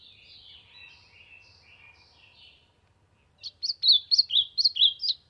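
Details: Soft, distant-sounding warbling from an ultramarine grosbeak singing to warm up, then after a brief silence a loud, fast run of sharp, rising-and-falling whistles.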